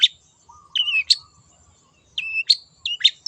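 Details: Long-tailed shrike from the wild, singing hard for a lure: loud high squeaky notes and descending slurred whistles in short phrases, with a faint low whistle behind.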